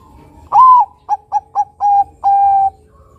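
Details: Song of a local crossbred Bangkok zebra dove (perkutut), a keen singer with a big long voice used to stimulate others: an upward-bending opening coo, four brisk clipped notes, a slightly longer note, then a long even ending tone.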